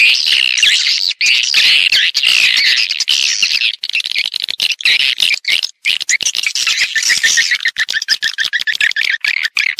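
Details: High, crowded twittering of swiftlets on a lure sound for swiftlet farming, drawing birds into houses to build nests: dense buzzy chatter at first, thinning into quicker clicking chirp series later on.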